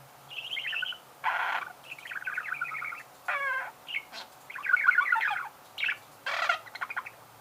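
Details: Budgerigar pouring out a busy warble of trilled chatter, buzzy bursts and a falling laddered note, each phrase short and separated by brief silences.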